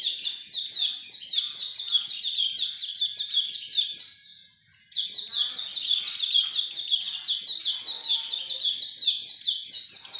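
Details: Hume's white-eye singing in the lively ngalas longgun style: a dense, rapid stream of high, sweet twittering chirps. The song breaks off briefly just before the midpoint, then resumes just as fast and unbroken.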